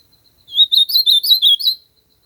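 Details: A single song phrase from an ultramarine grosbeak recorded in nature: a rapid run of sweet, wavering whistles, six or seven notes slurred up and down, then silence.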